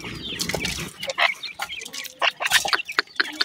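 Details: Grey francolin chicks giving quick squeaky cheeps in irregular bursts, with some low rustling at the start.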